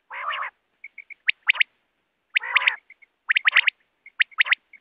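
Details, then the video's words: Quail calls in a repeating pattern roughly every two seconds: a broad harsh rasp, a few soft piping dots, then bursts of sharp rising whistled notes. "Latest Quail sounds || Bater ki awaz || Batair ki awaaz"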